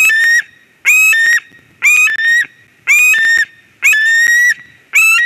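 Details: At a Latvian nest in Durbe, 13 August 2023, a white-tailed eagle calls while a ringed stranger arrives: six ringing, yelping calls in just over five seconds, each with a short upward slur into a steady tone.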